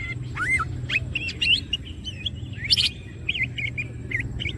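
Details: Singing greater green leafbird, green cucak in gacor masteran song with wings open: a run of bright looping whistles, wavy trills and quick rising slurs, with a few high crisp notes, over a steady low hum.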